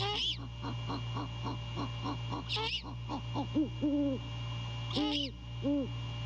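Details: Male great horned owl calling to his mate while checking out the nest at night, January 2022: a quick stuttered series of notes, shrill squeals, then several low steady hoots, steady hum underneath.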